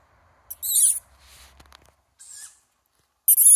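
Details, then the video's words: Young tawny owl calling for food: harsh, hissing high-pitched bursts, a loud one near the start, a fainter one midway and another loud burst at the end, with quiet rustling between. "Young tawny owl calling for food"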